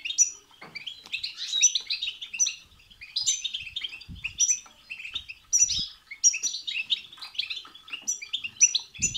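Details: European goldfinch song meant to stimulate a goldfinch to sing: fast, continuous, bright twittering with tinkling, buzzy, high-pitched phrases repeated roughly every second, with occasional low soft thumps.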